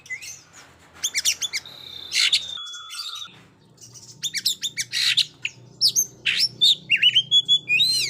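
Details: Ngobra-style Oriental magpie-robin for testing young birds not yet singing. Bursts of rapid chirps and a sustained level whistle, then a dense run of sharp repeated notes and rising slurs over a low hum.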